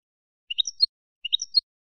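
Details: European goldfinch, 'campero' type, in a recording for educating captive birds: two identical short clusters of high, sharp chips, each about a third of a second long, spaced about three quarters of a second apart.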